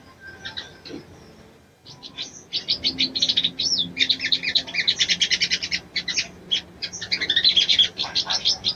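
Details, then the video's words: Ruby-cheeked sunbird female calling a male to arouse him; after a quiet start, a long run of fast, high, dry chattering notes with brief sweeping whistles, steady and busy to the end. "SOGON BETINA MEMANGGIL JANTAN‼️SANGAT AMPUH MERANGSANG BIRAHI SOGON JANTAN"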